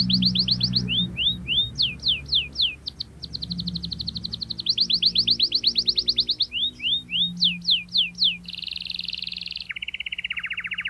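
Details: Canary singing the rolling song used to coax young birds into learning, over audible background music. Quick trills and slurred whistles lead into a buzzy steady tone, then a lower buzzy note at the close.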